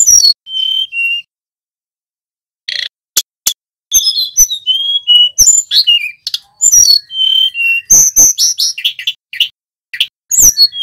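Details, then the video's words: Male mountain flowerpecker singing for use as a bird-training lure: short high whistles, a pause with lone clicks, then busy overlapping sharp ticks and thin falling whistled slurs through to the end. "Suara tledekan gunung gacor"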